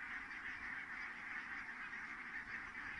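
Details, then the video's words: Many geese calling as they land at Kulgur, Estonia, evening of 4 May 2018, 17:58; a steady wall of overlapping honks with no gaps, many birds calling at once. "so many Geese landed"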